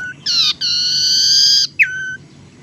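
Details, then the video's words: Tailorbird lure call, used to attract birds and to stimulate a reluctant or silent tailorbird to sing: a loud, long, steady nasal whistle with strong harmonics, briefly broken, then a short downslurred note, over faint background hiss. "suara pancingan sirtu teras"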